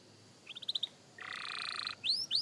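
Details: Young canary at singing practice, fairly faint: a short run of high chirps, then a sustained buzzy, rattling stretch of about a second, followed by two rising whistled sweeps.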